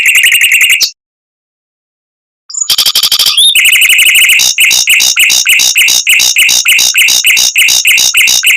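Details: Mockingbird song in a fast, dense rolling style with long bursts, used as a tutor for white-rumped shamas: a loud buzzy phrase, a pause, then rapid repeated chattering notes about three per second, sharply clipped and edited.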